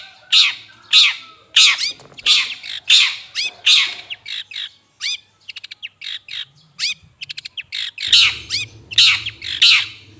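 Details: Long-tailed shrike calling to lure birds: a long series of loud raspy squawks at a quick uneven pace, broken by a stretch of fast ticking notes, then more squawks over a faint hum.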